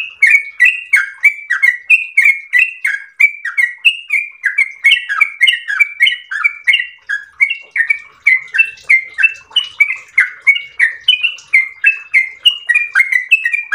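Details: Yellow-vented bulbul in full ropel song, pouring out a fast, unbroken series of chirpy whistled phrases with bubbling rising and falling notes, about three per second for the whole stretch.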